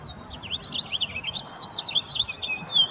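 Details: A domestic common chaffinch delivers a fast run of sweet, swooping notes in quick succession, high and bright, with a final sharper note and little background noise.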